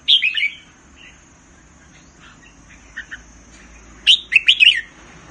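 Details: Thai caged red-whiskered bulbul, a bird valued for counted song phrases, opens with a bright warbled phrase, gives a few faint scattered notes, then a loud burst of rapid up-and-down whistled notes near the end.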